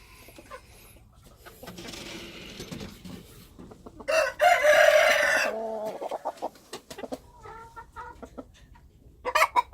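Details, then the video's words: Wild chickens, named in Hmong as qaib qus: a loud, harmonic-rich crow lasting about one and a half seconds rises mid-recording, framed by softer scattered clucks and short notes. "Noob qaib qus Qaib dib qua zoo - wild chickens"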